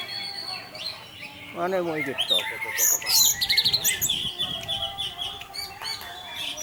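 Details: Teler-style orange-headed thrush song meant to coax other thrushes into singing: a quiet start, then a loud burst of fast chirps, trills and whistled slurs after two seconds, over a faint low hum.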